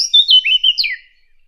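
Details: Brief fig bird call for hunting: about five quick, bright notes, whistled and sliding downward, delivered in just under a second, then silence.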